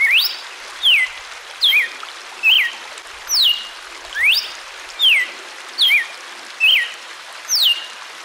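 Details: Red-cowled cardinal (Paroaria dominicana) sings clear, high whistled notes, mostly slurring downward, repeated about once a second over a steady soft hiss.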